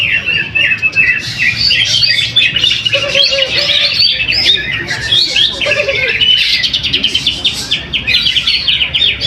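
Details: Greater green leafbird performing in a weekly practice contest in Mojokerto, East Java, winning first. Long unbroken stream of busy, sharp, high chattering and warbling notes, with brief lower whistles and faint background voices.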